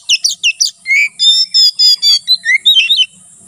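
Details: White-rumped shama in loud open song used for training and luring wild birds, a rapid run of bright whistled and chattering phrases, some harsh buzzy notes, dense and varied over three seconds.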